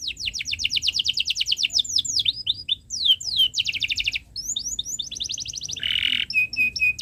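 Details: Canary song used to teach young birds, long chirping style: fast series of downslurred high notes, varied tours with quick sweeps, a short buzzy roll, then several brief clear whistles.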